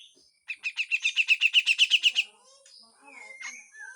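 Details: Harsh full song of a grey-cheeked bulbul, a rapid run of rough, buzzy pulses about four per second lasting under two seconds, followed by softer whistled notes and a descending slur.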